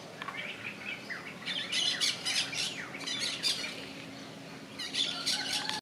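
Yellow-chevroned parakeets give shrill, scratchy squawks in quick overlapping bursts, several birds chattering at once with high, harsh notes.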